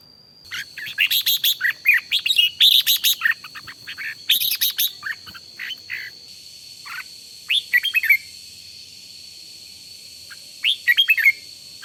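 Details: Red-whiskered bulbul in morning song training, a decoy bird worked up to sing: bursts of fast, sharp chattering and bright chirps in clusters, with pauses between, over a steady high electronic-sounding tone.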